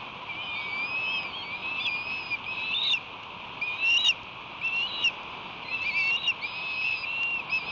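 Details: Young ospreys, roughly 60 days old, squabbling at the nest over a delivered headless striped bass in July 2021. Clear piercing whistled chirps repeat almost a second apart, some upswept, over a constant hiss.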